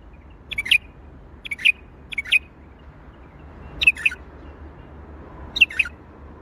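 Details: Bulbul in Baghdadi-style song, repeated chirpy phrases of two or three quick descending notes, three close together then two more spaced out, over low hum.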